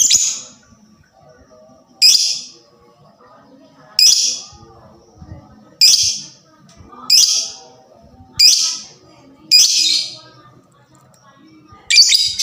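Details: Fighter lovebird's voice, meant to rouse other lovebirds into calling: sharp, harsh, high shrieks repeated roughly every one and a half to two seconds, eight in all, each fading quickly, over soft low background murmur.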